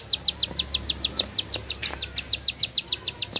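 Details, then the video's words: Bar-winged prinia singing a long, unbroken run: bright, high clipped notes repeated quickly and evenly, about seven each second, over a quiet background with a faint low hum. "Nafas Panjang, Nembak Satu Lagu, Ciblek Sawah Gacor"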